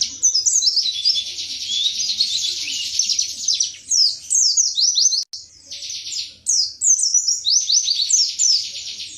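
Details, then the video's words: White-eye known as pleci, Indonesia, singing wiksar tembakan materi: an opening buzzy trill, then lively falling whistled notes in repeated clusters, a brief gap after five seconds, and more rapid slurs. "Pleci WIKSAR Tembakan MATERI"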